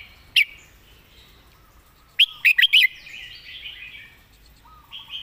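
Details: Red-whiskered bulbul in a cage, a song tutor with clear, well-phrased delivery, gives one lone sharp note, then a quick four-note whistled phrase, followed by soft warbled chatter.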